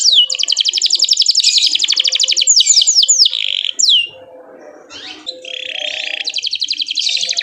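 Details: Canary chirping to provoke other canaries to sing: long rapid trill, several downward swoops, a quieter pause with soft noise, then a buzzy roll and another fast trill.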